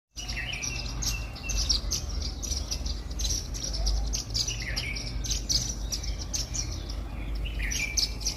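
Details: Several Indian silverbills (white-throated munias) eating millet at a garden bird feeder give a steady stream of thin, high, short chirps, with a low background rumble throughout.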